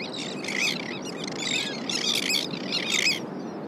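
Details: Elegant terns on the California Central Coast in July, adults flying in from the sea with small silver fish to feed adolescent young; overlapping harsh grating calls in dense bursts over steady surf-like noise.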